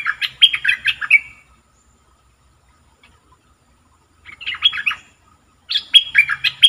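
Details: A caged red-whiskered bulbul used as a decoy to lure wild birds sings three chattering, warbled phrases with pauses between, each a fast series of rising and falling liquid notes.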